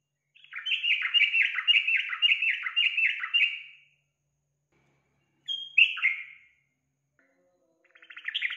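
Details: A yellow-vented bulbul, in a lure recording meant to get other bulbuls singing, sings a bubbly, chattering run of rising and falling notes for about three seconds, then gives a short loud phrase and starts again.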